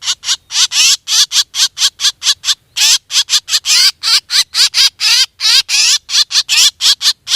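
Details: Hunting lure of a calling black drongo: rapid, nearly continuous harsh chattering notes, each raspy with wavering tones, pouring out at several per second for the whole stretch.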